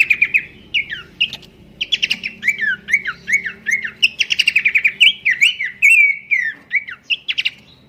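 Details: Pelanduk semak babbler's melodious song, used as a master for training birds: repeated bursts of fast buzzy trills alternating with sharp downslurred whistles, phrases tumbling together almost without pause over a faint low hum.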